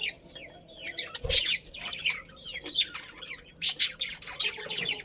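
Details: Budgerigar colony chirping happily: scattered squeaky chirps and short rising whistles from several birds, quieter overall, with a soft thump and low room hum.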